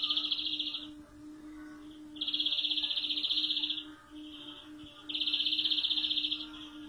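A European greenfinch gives three rapid, rattling trills, each about a second long, with brief twitters between. A low, steady hum runs underneath.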